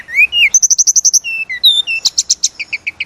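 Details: Sunda robin (tledekan gunung) in fast full song as a training lure: two rising whistles, a rapid string of about eight bright chips, more clear slurred whistles, then another quick series of repeated chirps.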